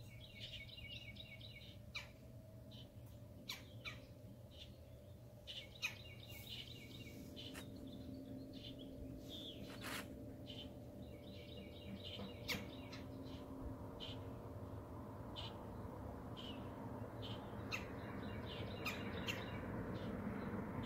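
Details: Red-bellied woodpeckers, at least two males and a female visiting feeders, give short rolling, trilled churrs in bursts outside a skylight, with sharp clicks and a steady low rumble behind.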